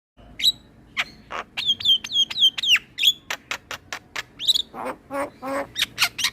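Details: Male Asian pied starling singing a full, varied song used to train other starlings: sharp whistled notes with falling slurs mixed with rapid clicks and harsh rasping bursts, delivered in a quick, irregular stream.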